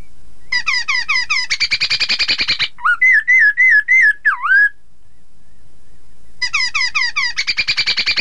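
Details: Chinese hwamei in full song, played so rival birds sing along: descending twittered phrases and a rattle, a row of loud wavering whistles ending in a deep swoop, silence, then the twittering resumes.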